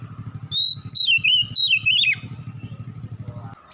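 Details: Oriental magpie-robin singing at dusk: a run of clear whistled phrases that slide down then rise again, about four notes in under two seconds, over a steady low engine-like rumble.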